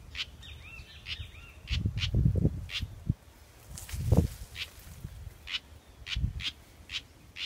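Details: House wren fledgling, large but short-tailed, hatched in a backyard, calling with short harsh buzzy notes at an irregular pace; a thin whistled twitter from another bird early on, plus low thumps and rustling.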